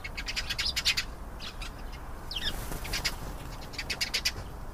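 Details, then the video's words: Canary singing: quick bursts of sharp, high chirped notes strung into short trill-like runs, broken by a brief twisting whistle midway, over a low steady background hum. "canary singing. beautiful canary sounds"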